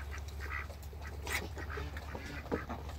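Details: Short nasal quacks come in brief bursts, roughly one a second, as four Pekin and hybrid mallard ducks meet. A steady low hum runs underneath.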